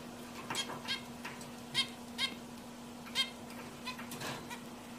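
A zebra finch gives short, nasal, toy-trumpet beeps at uneven intervals over a steady low hum.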